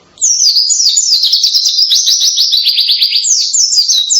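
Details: Canary-like loud song of a white-eye, delivered as a continuous rapid run of high trilled notes and quick downward sweeps, sustained and steady in volume for around four seconds.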